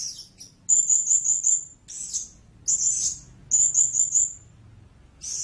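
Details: Blue-crowned hanging parrot giving short bursts of three to four quick, ringing high squeaks, separated by brief pauses, with a few harsher buzzy notes between.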